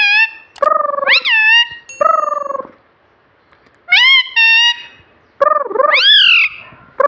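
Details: Talking pet rose-ringed parakeet imitating "mummy" in a string of buzzy, low syllables followed by sharp rising squeaky glides, four phrases with a quiet gap in the middle.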